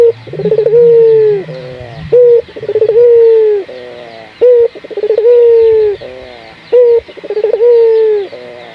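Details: Local spotted dove cooing loudly and persistently, used as a lure to prompt other doves to sing: rolling, slightly descending coos, each opened by a short stuttered note, repeated in bouts about every two seconds, clean with little background noise.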